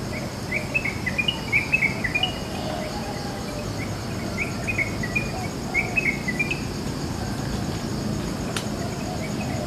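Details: Wild Yellow-vented bulbul singing in the morning in a village: short bubbly, chattering phrases in bursts every second or two, over a steady high insect drone and low background rumble.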